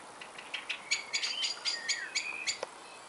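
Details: Bird song: a run of thin whistles and short chirps, some sliding and some level, quickly delivered over about three seconds against soft background hiss.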